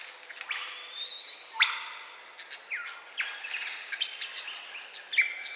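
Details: Superb lyrebird of eastern Australia, a mimic said to copy camera shutters, screaming babies and ambulances, singing a varied song of pure whistles, long falling slurs and rising sweeps with sharp clicks scattered between them.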